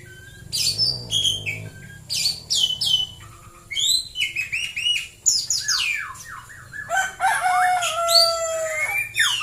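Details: A white-rumped shama sings in the morning in Central Java. Its varied song has sharp high whistles, then strings of descending, looping notes and fuller lower whistles toward the end, delivered almost without pause.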